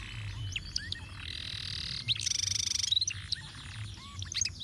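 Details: Canary ruwet-style master song for tutoring other birds: a soft sustained trilled tone, a loud fast rattling trill of about twenty pulses, then scattered short whistled notes, with low background hum.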